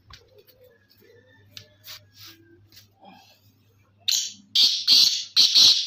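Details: Black francolin (Kala Teetar) calling: after about four seconds of faint murmurs and low hum, loud harsh grating notes burst in, four rasping bursts in under two seconds.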